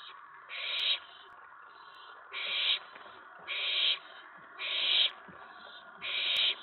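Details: Nest-box owlet grows excited at night, May 19, 2017, after a mouse delivery and an owl's arrival on the tray. Five harsh hissing screams repeat roughly every second and a quarter, with fainter hiss between them.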